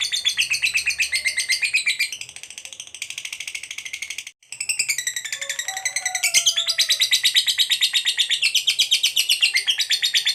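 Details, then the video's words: Fighter lovebird delivering a long, emotional ngekek trill to provoke other lovebirds; a dense rasping chatter, broken by a brief silence, then resumes with some faint lower tonal sounds in the background. "Lovebird FIGHTER Ngekek Panjang FULL EMOSI_Pancing Lovebird KOYO AUTO Nyaut Gacor RAJIN BUNYI"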